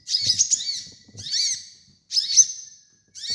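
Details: High sunbird song, from a kolibri ninja master used for training: three twittering phrases, each with hooked notes, with the last phrase ending in a long, thin, level whistle.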